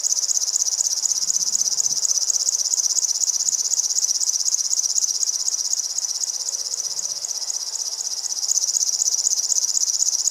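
River warbler singing a sustained, high, insect-like mechanical buzz of fast, evenly repeated pulses, like a sewing machine. A few faint low thumps sound in the background.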